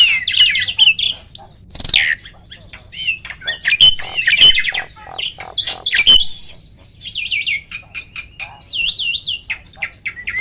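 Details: Captive hybrid starling giving varied "roll tembak" vocals. Chattering, squeaky notes and harsh bursts mix with warbling, wavering whistled trills.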